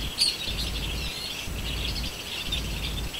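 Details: Bird chirping: short, high twittering notes scattered over three seconds, one brighter chip near the start, above a steady low rumbling hum.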